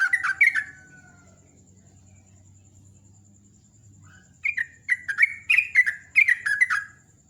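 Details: Sooty-headed bulbul morning song: brief chirped phrase, a few seconds of near silence with a soft low hum, then a fast bubbly series of falling chirps repeated several times.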